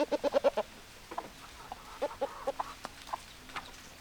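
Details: Hen clucking: a quick burst of five loud, evenly spaced clucks, then scattered single clucks and softer calls, quiet background.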